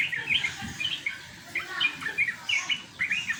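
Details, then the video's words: Song of a yellow-vented bulbul after its morning dew bath, a bubbly run of quick liquid chirps and warbled phrases rising and falling, with soft low rustling beneath. "burung Trucukan gacor terus MANDI EMBUN PAGI"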